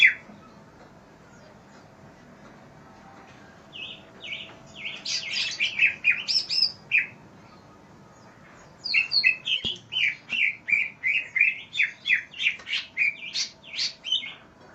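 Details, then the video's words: Greater green leafbird song used as a tutor recording for training other cage birds: bursts of quick, varied chirps and whistled notes, a short run, a pause, then a longer rapid chattering series of sharp high notes. "cucak ijo GACOR masteran burung"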